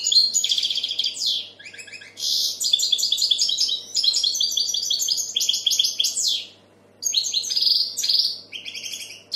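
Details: European goldfinch singing a fast, tinkling twitter of bright chirps, trills and buzzy notes in dense bursts, broken by two short pauses around two and seven seconds.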